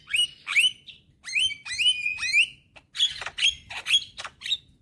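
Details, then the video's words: Young black-winged starling singing as a lure for reluctant birds: clear upslurred whistles repeated about every half second, followed by a series of shorter ringing whistled notes. "Pancingan Burung Jalak Malas Bunyi dengan Kicauan Jalak Kebo Muda Gacor"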